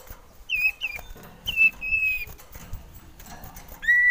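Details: Male common iora wanting to mate giving short down-slurred whistles, then a longer flat whistle and a final rising drawn note, with quiet rustling between.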